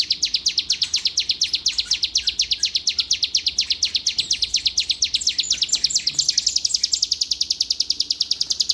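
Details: Bar-winged prinia in Palembang, owned by a songbird contest judge, pours out a continuous fast trill of high metallic chips. About two-thirds through, the notes rise a little higher and grow slightly denser.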